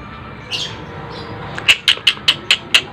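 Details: Sharp training sound used to teach competition white-rumped shamas: a brief squawk, then six crisp, high chirps in an even, rapid series about a fifth of a second apart.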